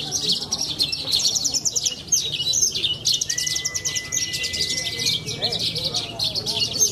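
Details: Young Australasian bushlark from central Cilacap, Indonesia, a prize-winning songbird contest bird, delivering a high, dense run of rapid buzzy trills and chatters. A long thin whistle-like tone runs through the middle, and low voices murmur beneath.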